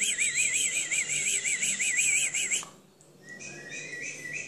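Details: At a singing contest, a Timbrado canary delivers a long, smoothly undulating water-like trill, wavering up and down about five times a second. After a brief drop, a softer, level whistled phrase follows.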